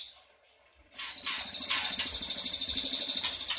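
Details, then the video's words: Ashy tailorbird lure call meant to get a reply: after a near-silent start, a steady run of rapid high buzzy notes, about three per second in pulses, continues to the end. "PANCINGAN CILILIN DIJAMIN NYAHUT!!"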